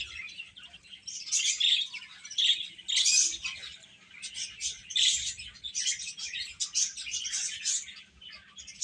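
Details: Baby chicks call in a chorus of piercing short peeps, with several clear, louder single chirps rising above the steady background chatter.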